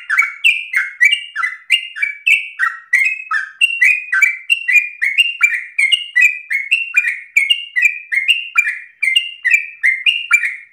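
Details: Persistent rapid-fire song of a sooty-headed bulbul in the 'narung ropel' style, kept up for use as a lure and tutor: dense, unbroken sequence of short whistles sliding downward, steady and loud throughout.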